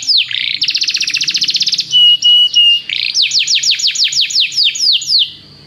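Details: Canary tutor song for training: a brief swoop, a fast buzzy trill, three sustained flat whistles, then a string of about a dozen clear downslurred notes fading at the close.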